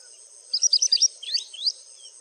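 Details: White-browed wagtail in India: a quick run of five high, thin chirps, then three lower slurred notes, over a steady hiss of insects.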